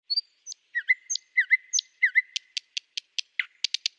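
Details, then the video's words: Nightingale singing: high thin whistles open the phrase, then repeated downslurred mid-pitched notes joined by a steady held tone, ending in a row of sharp, evenly spaced clicking notes. "beautiful #nightingale singing"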